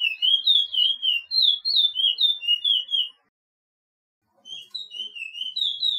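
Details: Chestnut-bellied seed-finch training song, called Pijé-Pijé in Suriname: rapid run of clear whistled slurred notes, rising and falling, about three seconds, then a pause of silence before the whistling resumes.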